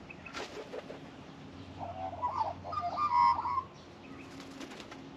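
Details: An Australian magpie arriving at a bird bath for a drink, where little friarbirds flee, gives a brief, fluty warbling phrase of mellow, wavering notes lasting about two seconds, after a flurry of wingbeats, with a faint low hum underneath.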